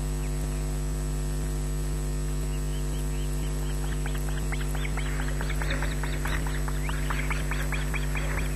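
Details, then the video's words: Smallest osprey chick at a Loch Garten nest, 14 June 2012 at 18:40, shrieking for food from beneath its parent, which has none. The short sharp notes start faint, then grow louder and faster in a repeated run over a steady electrical hum. "Loch Garten ospreys 2012 June 14th 18:40 - #3 begs for food"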